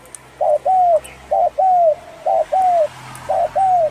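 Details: Spotted dove of the Thai hoarse-voiced type giving its cooing call, used to stimulate males and females and lure wild doves: paired low hoarse coos, a short note then a longer arched one, repeated four times over faint background hiss.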